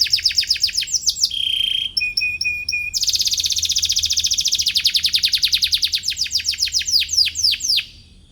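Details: Atlantic canary (kenari) singing while seeking a rival, material used to train young canaries; high rapid chirps and trills, shifting into a steady fast trill, then descending sweeping notes repeated several times a second, closing in quiet.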